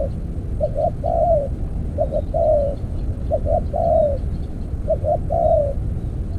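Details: Spotted dove calling during decoy trapping with an earthen trap. Mellow low coos come in sets of two quick notes and a drawn-out falling note. Three such phrases are heard against steady low background noise.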